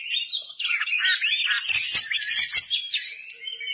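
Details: An Oriental magpie-robin, called kacer, in vigorous 'gacor ngeplay' song with tail opened: loud, ringing, high whistled slurs and sweeping notes pour out densely, with a few brief clicks.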